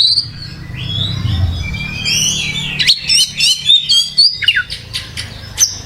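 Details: Lively oriental magpie-robin song (gacor): smooth gliding whistles at first over a low rumble, then a quick, choppy series of sharp chirps and clicks, roughly three or four per second.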